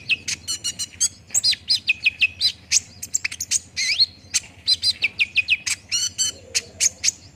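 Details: Olive-backed sunbird lure song for prompting fast singing. Energetic bursts of high chirps alternate with quick runs of repeated looping notes and one swooping whistle midway.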